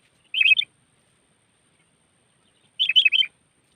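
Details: Sooty-headed bulbul call used as a lure for trapping birds: two short bubbly bursts of quick, slurred whistled notes, each lasting about a third of a second, separated by a silent gap of over two seconds.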